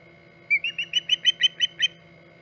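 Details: At its Hog Island nest in August 2019, an osprey utters a short burst of eight high whistled chirps, the first thinner and rising, the rest quick and sharp, against a quiet low hum.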